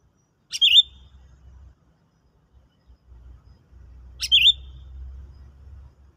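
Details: Sooty-headed bulbul lure bird, trialled for trapping after a stimulant: a sharp click-led dipping whistle repeated twice, roughly three and a half seconds apart, with a steady low rumble between them.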